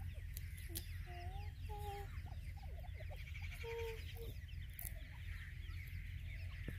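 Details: Young Irani francolin (teetar) chicks give soft, short whistled peeps, some rising and some falling, several overlapping, over a steady low hum.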